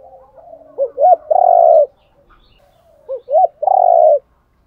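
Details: Spotted dove decoy cooing by male and female birds, used to provoke training doves to coo and fight: two phrases about 2.5 seconds apart, each two short rising hoots then a long, rough, buzzy coo, with soft murmurs between.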